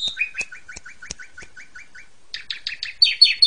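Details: Energetic Asian pied starling song used for training pet magpie robins: a run of about a dozen quick downslurred whistled notes, then harsh scratchy bursts and loud high chatter at the close.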